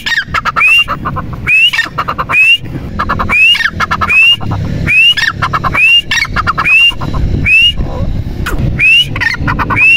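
A partridge gives shrill, rising whistled notes about once every second and a half, over clattering and rumbling background noise.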